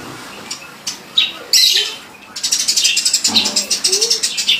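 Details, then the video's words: Sparrows calling loudly: a few scattered sharp chirps give way after two seconds to a fast, steady run of high, clipped chirps repeated several times a second. "burung greja suara keras"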